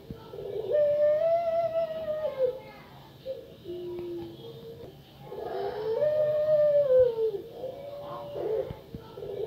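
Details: Female Barbary dove (puter pelung) giving long, drawn-out, slightly quavering coos that rise then fall, each about two seconds, repeated roughly every five seconds in a quiet room.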